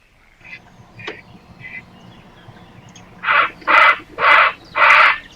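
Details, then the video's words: Grey Heron calls played from a recording, of the kind heard near water: faint scattered notes at first, then four loud, harsh, broadband croaks in quick succession, each about a third of a second long. "No, czyli tak jak słyszeliście, takie odgłosy, jak słyszycie gdzieś nad wodą, to są czaple."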